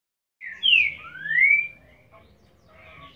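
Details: Green-winged saltator (trinca-ferro) singing the boiadeiro song style: one loud, clear whistled phrase that slides down, then a second long whistle sliding upward, followed by faint softer notes.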